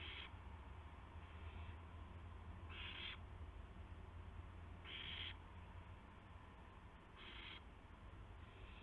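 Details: Owl with a gopher at 8:00 PM on March 18, 2016; hoarse hissing screeches, four to five bursts of about half a second spaced roughly two seconds apart, steady low hum underneath.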